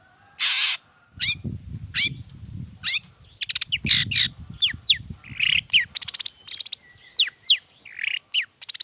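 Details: Energetic long-tailed shrike 'toet toet' varied lure song: rising whistled notes, dense buzzy rattles and scratchy chatter in fast irregular sequence, with low rumbling noise beneath the opening half.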